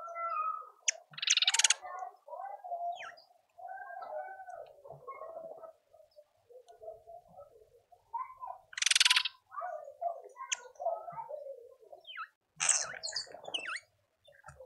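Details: Speckled mousebirds visiting a suburban garden feeder in Pretoria, South Africa, give three loud, harsh rasping bursts spaced several seconds apart over a steady chorus of chirping and warbling garden birds.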